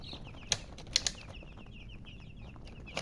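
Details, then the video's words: Chicks cheeping in quick, high, falling notes that run almost continuously, with a few sharp clicks and knocks in between. "Baby "Chicks Chirping" Sound"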